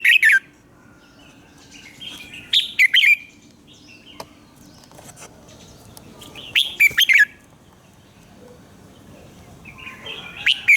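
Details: Red-whiskered bulbul singing in the morning, used as a lure voice for training other birds: short bright warbled phrases spaced several seconds apart, each a quick burst of liquid notes, with quiet gaps and faint clicks between.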